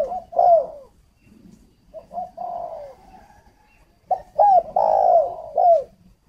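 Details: Spotted dove decoy call for luring, captive bird near Ba Vì, Hanoi, Vietnam: a cooing phrase, a quieter pause, then a loud burst of hooked coos and a long sustained coo.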